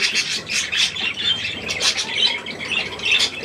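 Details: Budgerigars with young, recorded 3 May 2024 around millet: a busy flock chatter of short harsh squawks and scratchy chirps, overlapping almost without pause, bright and high-pitched.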